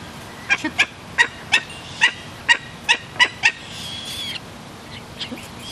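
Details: Two-week-old Barbary falcon chick being fed by a one-year-old imprinted gyr x peregrine hybrid female; about nine sharp, clear chirps come in a quick run over three seconds, then fainter calls and background rustle.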